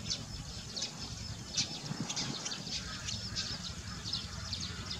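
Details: Barn swallows at Baisha, 3/14/18, give quick, high twittering chirps, scattered several times a second over a low rumble of background noise.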